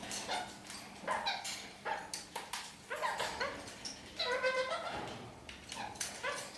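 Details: Kakariki, several birds clambering upside down across a ceiling and singing a lot, giving short harmonic chirps and squeaky notes in quick irregular bursts, some rising, with brief pauses between phrases.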